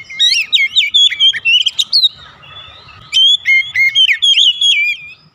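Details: Lure song of an oriental magpie-robin for stimulating house-kept birds to sing. Two bursts of rapid, varied whistles and chirps are split by a quieter pause of about a second.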